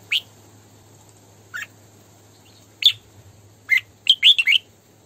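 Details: Female red-whiskered bulbul used as a lure bird, giving sparse sharp single chirps spaced a second or more apart, then a rapid run of four or five bright, warbled notes, with a faint low hum underneath.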